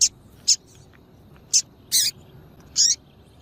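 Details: Double-collared seedeater female piping to attract and excite males. Five short, very high, thin chips are spaced about half a second to a second apart. The later notes are slightly longer and fuller, over a quiet background.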